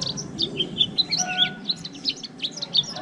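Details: Caged white-eye, caught wild and held for over a month, giving quick scattered high chirps and short twittering notes of varied pitch in a líu-style song.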